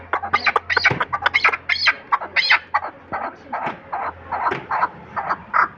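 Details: A chukar kept for hunting calls loudly with rapid, rasping chuk notes in uneven bursts, rising in intensity, a faint hum in the background.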